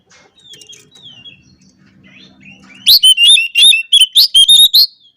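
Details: Oriental magpie-robin calling opponents with fiery song: quiet soft sliding whistles and a low buzz at first, then a sudden loud string of piercing, rising whistled notes repeated in rapid, energetic bursts.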